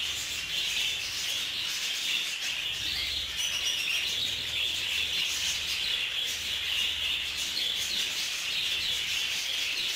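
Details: Group-housed budgerigars fighting in an aviary; nonstop high twittering chorus from many birds, with scratchy warbles and brief sharper chirps layered through ten seconds of constant chatter.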